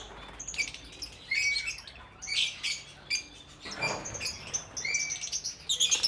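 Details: Colony of lovebirds in a cage, many colour varieties such as lutino and albino: scattered shrill squeaks, rising chirps and harsh squawks from several birds, in irregular bursts.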